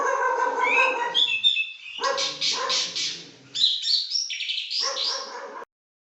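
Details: Pekin robin, a highly prized singer, mixing harsh, buzzy rasping notes with bursts of bright, rapid warbling, loud and nearly nonstop before ending abruptly.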